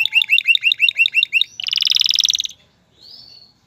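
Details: Male canary singing to prepare a female for mating and prompt nest building: a fast run of about nine repeated chirps, then a rapid buzzing trill and a brief high whistle.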